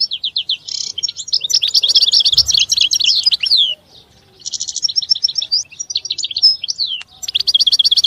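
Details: Lively song of a European goldfinch: a string of quick chips, buzzy trills and tinkling twitters, briefly paused midway, then more rapid chattering notes.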